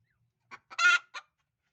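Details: Hen calling out before laying eggs: two brief clucks, then one long, harsh, strident cackle and a final short cluck. The background is otherwise quiet.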